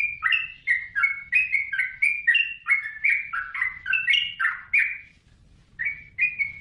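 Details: Chattering song of a yellow-vented bulbul: quick runs of bubbly, rising-and-falling notes for five seconds, a brief silence, then two more short liquid phrases.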